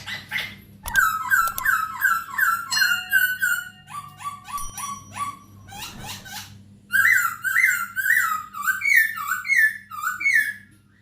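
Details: Masked laughingthrush singing for a recording meant to tutor captive birds: harsh, rich notes in quick strings, then a pause, then a loud series of about seven repeated wavering whistled phrases. A faint low hum runs beneath.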